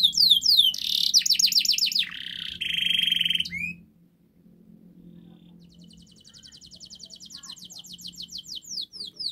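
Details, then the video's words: Canary master song for coaxing a reluctant bird into singing: fast trills and a buzzy roll in the first four seconds, then a quieter, rapidly repeated high chatter, with a low steady hum underneath. "Masteran kenari GACOR NGOTOT untuk Pancingan Kenari Tidak Mau Bunyi Agar Bunyi"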